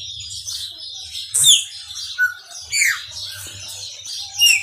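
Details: Maranhãozinho-style chopi blackbird song, a sparse series of bright downward-swooping whistles and brief chirps separated by short pauses, over a steady hiss and a low background hum.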